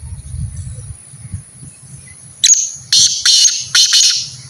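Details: Partridge being trained to call more, likely a kept bird: after a quiet start with a low hum, four loud, harsh, high-pitched bursts of calling come in quick succession over about two seconds.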